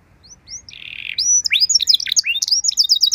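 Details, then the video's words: Canary singing a tutor song for other canaries, starting soft with a few rising notes and a buzzy phrase, then growing loud with jumbled high chirps and quick repeated whistles. "Masteran dan Pancingan Burung Kenari Biar Punya Lagu Mewah!"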